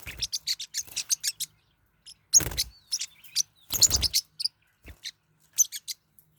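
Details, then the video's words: Forpus parrotlets kept at home, fighting: quick runs of shrill chirps, two loud rasping scuffles, then scattered sharp tweets fading toward the end. "My birds are fighting What should I do? | forpus parrot bird"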